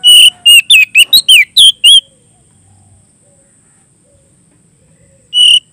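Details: Oriental magpie-robin in loud ngeplong song calling a rival: a rapid string of about eight sharp, twisting whistled notes lasting two seconds, then silence, then one more loud whistle.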